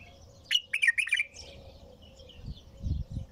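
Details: One quick, rich warbled phrase from a bulbul, a cluster of fluty notes, followed by quiet with soft low thumps and faint distant chirps.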